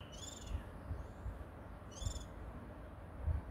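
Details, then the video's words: Small bird singing, recorded 26 June 2022 around midday: two clear, high, downward-sliding whistled notes about one and a half seconds apart, over a steady low rumbling background. "Little bird singing."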